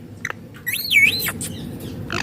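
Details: Rose-ringed parakeet, a green ringneck parrot, giving natural sounds: a clear whistled note that loops up and down in a wavy sweep, framed by short sharp chirps, over a low steady background hum.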